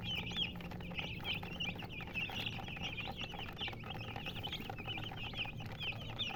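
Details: Flock of coloured chickens giving continuous high chirps, overlapping short rising and falling peeps in a lively chatter, accompanied by a low background hum.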